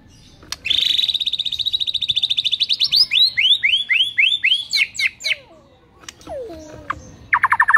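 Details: White-rumped shama song used as a morning lure, packed with mimicked phrases: a fast metallic trill of rapid repeated notes, then sweeping rising whistles and a final burst of high chattering notes.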